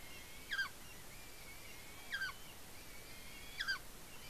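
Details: At a nest in Smola, Norway, dated 7.12.18, a young eagle feeds on fish delivered by its mother and squees excitedly: three sharp, descending high squeals spaced over a second apart, with faint hiss behind.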